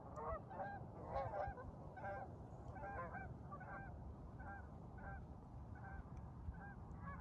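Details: Canada geese at Lake Estes, Colorado, calling at sunrise during flying lessons for their young, about 66ºF; a run of nasal two-part honks, roughly one a second, somewhat irregular, above a low background rumble.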